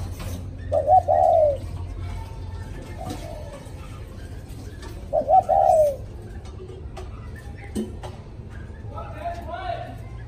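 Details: Following a storm, a spotted dove sings 'cu thúc' style: two throaty coo phrases about four and a half seconds apart, a brief click, then faint chirps near the end over low hum.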